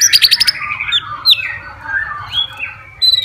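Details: White-rumped shama, a fighter bird singing to provoke rivals, giving a quick burst of high clicks followed by slurred whistled notes and softer rising phrases, with a faint low hum beneath.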